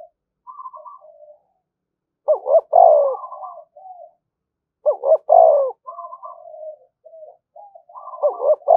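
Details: A spotted dove decoy calling continuously to provoke rival doves to fight. Three loud, husky coo phrases, each a quick stutter then a rolling croo, alternate with gentler trailing murmurs.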